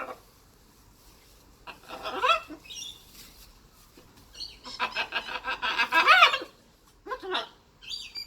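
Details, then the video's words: Pet blue-and-gold macaw at play, giving harsh, raspy squawks in short bursts, a busy stretch of grating chatter in the middle, then a couple of brief rough calls near the end. "Macaw laughing, squawking, talking and playing"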